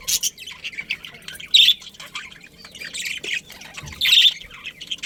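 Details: Budgies from a breeding colony giving harsh, high squawks and scratchy chirps, two notably loud calls standing out amid softer background chatter.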